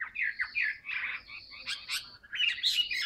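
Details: Caged Chinese hwamei giving a short burst of harsh, scratchy chattering and broad noisy notes mixed with brief whistles, some low room noise beneath.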